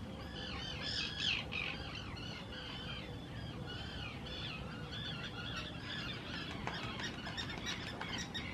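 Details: Common terns in noisy spring 2018 courtship at the Hula nature reserve, Israel, claiming favoured nesting spots on purpose-built islands; repeated arched, harsh calls overlap one another against a low background rumble.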